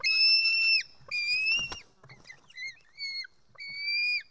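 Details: White-tailed eagle nestling screaming for food as a parent feeds it fish in an Estonian nest, July 2018, 1:10 pm: long high thin whistled screams, each under a second, with a few shorter notes between them.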